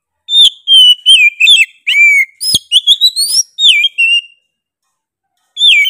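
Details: Oriental magpie-robin in full, lively song: rapid, ringing whistled notes, some sliding up and some dropping, delivered in quick succession, then a pause and a fresh phrase. One sharp click partway through.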